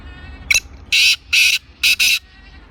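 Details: Black francolin in Sindh, Pakistan, calling with a brief clicking note then three strong, scratchy buzzing bursts, the final pair run together, over quiet background.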